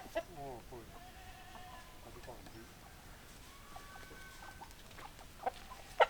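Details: Chickens in a farmyard: a harmonic crow-like call opening the recording, drawn-out tonal calls in the middle, and scattered loud clucks, with a couple of sharp sounds close by at the end.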